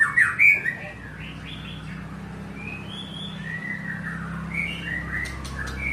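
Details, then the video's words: Murai batu, the white-rumped shama, delivering loud whistled notes at the start, then softer drawn-out rising and falling whistles over a constant low droning background. "Murai Batu Pinggiran"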